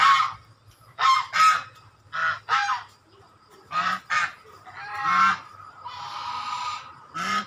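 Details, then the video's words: Swan honks in pairs of short, loud nasal blasts separated by quiet gaps, then a longer drawn-out honk and a hoarse, breathy note near the end. "Angsa🦢Swan🔊Original Sound"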